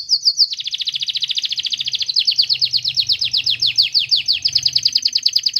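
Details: Canary song meant to entice a canary into singing: one long unbroken high trill of rapidly repeated, slightly sliding notes, steady and bright throughout, with faint low background noise.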